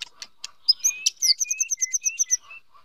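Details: Wild white-rumped shama song as the female stirs the male to practise: a few scattered high notes, then a quick string of about ten evenly spaced high, sharp chirps.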